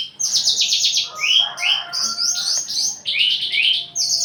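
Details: Breeding-condition Javan bush lark, wings shivering and crest raised as it courts, mixes rapid buzzy rattles with rising whistled slurs and a faint low tone.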